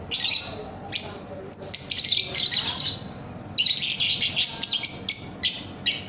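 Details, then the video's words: Young lovebird (paud) tutor song: loud, buzzy high chattering in long stretches broken by sharp clicks and short gaps, with a steady low hum beneath. "Masteran Kicau Burung Lovebird Paud AMPUH"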